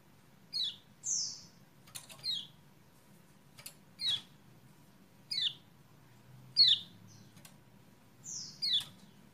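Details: Lure sound for a kecial kuning that refuses to sing: several soft downward-slurred chirps at uneven intervals, mixed with faint clicks and a low background hum.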